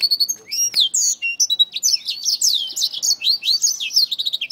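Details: Black-throated finch attacking a finger, giving a continuous stream of high, squeaky chirps and sweeping downslurred whistles, closely packed and excited throughout.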